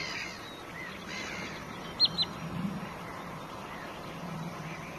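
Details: A black-headed gull at its nest gives two brief, sharp, high calls in quick succession, against a steady low rumble of wind and distant background noise.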